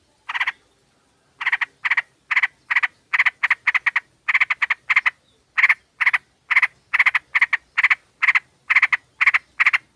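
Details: Female sooty-headed bulbul luring a male: a long run of harsh, rasping chattering notes, roughly two to three per second after an opening pause, loud and clear.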